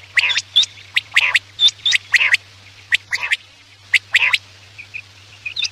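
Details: Quail calling at night, used for hunting: sharp, bright notes in tight groups of two or three, repeated about once a second, with a few softer notes near the end and a low hum.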